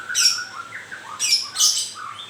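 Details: A moulting white-rumped shama gives three rasping, squawky grewek bursts, each paired with a short low whistled slur.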